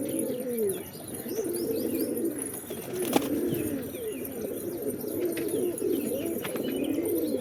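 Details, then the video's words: Many pigeons coo together in a steady, throaty murmur of rolling, slightly rising and falling notes, with one sharp knock partway through. "Pigeons | Cat Tv For Cats To Watch Birds | Beautiful Birds chirping Sound"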